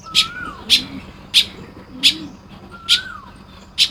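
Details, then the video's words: Baya weavers making nests on a Lopburi morning, Thailand, 1 May 2026: rapid loud chips about every 0.6 seconds, a falling whistled note, and soft low cooing underneath. "เสียงนกกระจาบทำรัง ยามเช้า"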